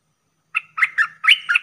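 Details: Lure sound for trapping streak-eared bulbuls, with four to five rough, squawking chirps in quick succession, the later ones blurred together over a faint low hum.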